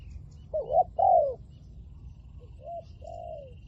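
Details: Spotted dove used as a decoy bird to lure wild spotted doves, calling in the loud 'lio tan' style: two paired, wavering mid-pitched coos early on, then a softer short coo and a long falling coo, over low background rumble.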